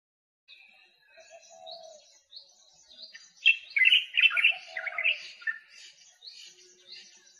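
White-capped Redstart: thin, high drawn-out whistles, then a louder burst of quick scratchy chattering notes in the middle, with softer lower notes between.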